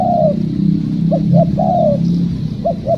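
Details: Wild spotted dove during a trapping session: a drawn-out falling coo, two short clipped notes, a second long descending coo and two more short notes, over a persistent low hum.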